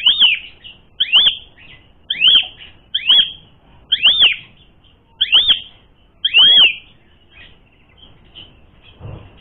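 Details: Asian pied starling song intended as a lure for fighting; seven ringing, arched whistled notes spaced about a second apart, then quieter faint notes at the end.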